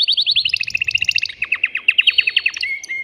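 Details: Caged male canary, excited and urging a female to mate, delivers rapid repeated chirps that change into a lower run of sharply falling notes, ending on a flat whistled tone.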